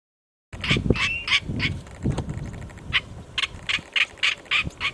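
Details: A Northern black korhaan calling in Mokala National Park, South Africa, gives harsh, rasping croaks in quick bursts, about three or four a second, over low rumbling wind.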